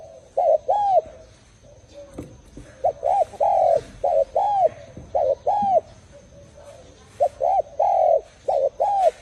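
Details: Spotted dove calling with repeated soft, hollow coos in short phrases of two to three notes, each note a brief arched hoot, phrases recurring through the recording with faint background chatter.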